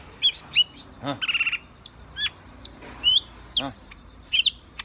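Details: Green leafbird (cicak ijo), described as agitated, delivers scattered high slurred whistles, quick chip notes and a short buzzy trill, phrases spaced about half a second apart.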